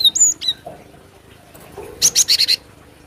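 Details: Cinereous tit, used as a lure for luring birds: two thin high whistles at the start, a quiet gap, then a rapid buzzy burst of five harsh notes.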